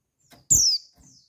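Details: Female white-eye giving a call meant to stir males into breeding: a single loud, thin whistle dropping quickly in pitch, with a faint trailing note and soft low taps.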